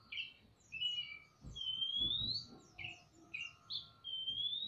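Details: A male and female Oriental magpie-robin in a semi-natural aviary call back and forth, the bird fanning its tail: clear, sweet whistles, some long and rising, others short and fluttery, roughly every second, faint low thumps beneath.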